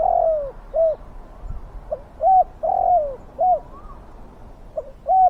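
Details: Spotted dove kept to lure wild doves, calling with a big, fierce voice: soft clipped coos and two drawn-out, downward-sliding croons, with a faint higher whistle from another bird.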